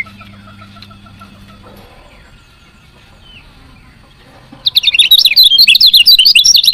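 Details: Chirp of a female lemon-bellied white-eye, meant to prompt reluctant males into singing. The recording is quiet at first, then a quick, dense string of high, squeaky chirps bursts in for the final two seconds.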